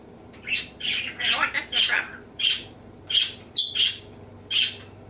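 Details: Household male African grey parrot mimicking sneezes, laughter and burps, producing about eight short, sharp, sneeze-like bursts in quick irregular succession.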